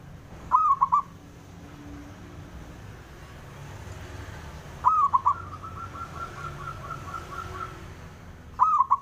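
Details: Male zebra dove calling to goad rivals into replying: three four-note coo phrases about four seconds apart, the middle one followed by a long, soft, rapidly pulsing trill, over steady background noise.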